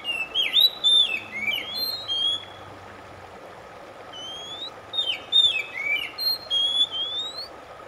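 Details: Oriental magpie-robin song used as relaxation for a stressed bird that has stopped singing: bright whistled phrases with buzzy and sliding notes, a burst in the first three seconds, a pause, then another run of rising and falling whistles.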